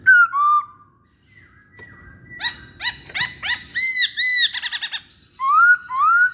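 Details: Pancingan recording of a masked laughingthrush, with rich whistles and a burst of loud, rapidly repeated arched notes, then two long upslurred whistles closing the phrase.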